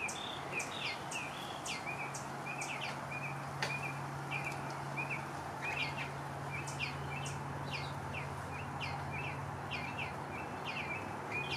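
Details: Western bluebird being hand-fed, giving a steady run of short, high chirped notes, several each second, over a faint low hum.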